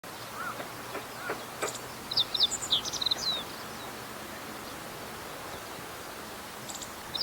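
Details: Meadow bunting singing lively in a reed bed of a fallow rice field, 19 April 2021: one quick phrase of high, sharp chirps and buzzy slurred notes lasting about a second and a half, with faint chirps from other birds around.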